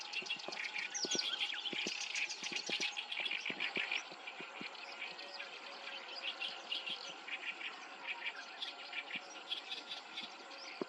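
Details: Black-browed reed warbler, a breeding visitor to Japan, sings a fast, scratchy string of high notes for about four seconds, after which fainter chirps continue over a steady hiss.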